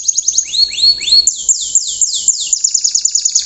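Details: Coarse riwikan song from an untrained canary, used to prompt other canaries to copy it; quick high clicks, a few rising whistled sweeps, then rhythmic downward-swooping chirps and a fast high trill.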